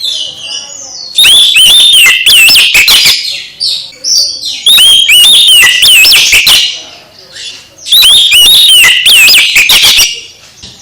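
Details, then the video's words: Oriental magpie-robin singing to rouse a silent, listless magpie-robin into full song again: loud phrases of rich warbled whistles and sharp notes, in three dense bursts separated by quieter gaps. "Kacer MBAGONG langsung GIRAS lagi setelah dengar KICAU Kacer ini"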